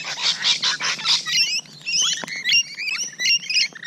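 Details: June morning close encounter with Rainbow Lorikeets: a run of harsh, noisy screeches gives way to high squeaky whistled chatter.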